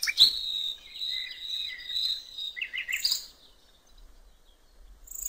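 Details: Common nightingale singing in open countryside on a riverbank: a long sustained whistled note, then several buzzy descending phrases, ending in a short burst of rapid higher chirps.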